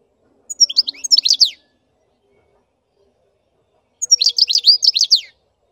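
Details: Song of a black-headed goldfinch: two quick bursts of high, liquid twittering, each about a second long and about three seconds apart. Notes are chattering and slightly buzzy, tumbling rapidly in a clean, quiet setting.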